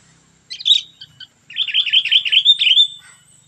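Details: Sooty-headed bulbul with its super fierce 'cengkram' song: a brief sharp chirp pair, then a pause and a fast flowing run of rolling, warbled notes lasting over a second.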